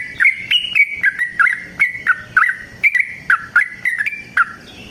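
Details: Fighting song of a yellow-vented bulbul, a long run used to make other bulbuls sing: quick string of clear, slurred whistles, several per second, rising and dipping slightly, with faint low background hum.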